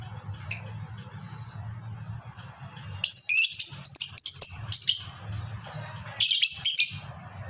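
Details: Fighter lovebird in a long ngekek chatter meant to set other lovebirds singing: a sustained grating, high-pitched rattle lasting about two seconds, then a second shorter burst, over faint low background hum and scattered soft chirps.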